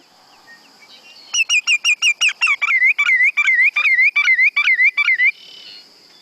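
A Greater Yellowlegs gives a quick run of clear, high whistles, then about eight slurred, yodeling notes, lasting roughly four seconds over a faint background hiss.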